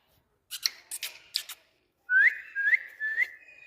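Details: Talking Indian parrot, a rose-ringed parakeet: a few soft dry clicks, then three clear whistled notes, each sliding upward and run together, with a steadier whistle held at the end.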